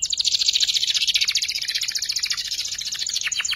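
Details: Young canary learning to sing in the ngeriwik style, used as a tutor recording for shama and magpie robin birds: a dense, fast buzzy trill of rapid high notes, repeated about three times a second, ending in a few descending slurred notes.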